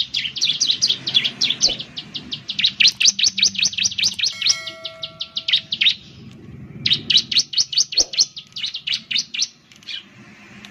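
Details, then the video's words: Lure song of a ciblek, the Bar-winged Prinia: long bursts of rapid, bright, repeated chirps. A brief steady tone sounds mid-way, the bird pauses for about a second, then the quick chirping returns. Low background rumble throughout. "Suwara Burung Ciblek || Ciblek bird lures, the sound of the gacor immediately picks up"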